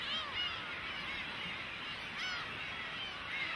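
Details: Cormorant chicks unceremoniously demanding food from their parents, giving overlapping nasal, arching begging calls repeated in quick succession over a steady background hiss.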